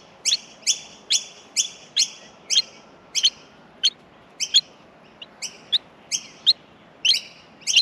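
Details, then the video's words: Australian miner chicks in the nest at feeding produce rapid doubled high notes with a descending tail, repeated in quick pairs about twice per second. "Australian Minor baby birds in the nest feeding"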